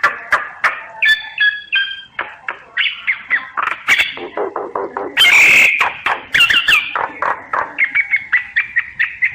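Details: Common myna in full song, picked up with a phone recorder app: an energetic jumble of clicks, gurgles and squeaky notes, a loud rasping hiss midway, and a closing run of evenly spaced chirps.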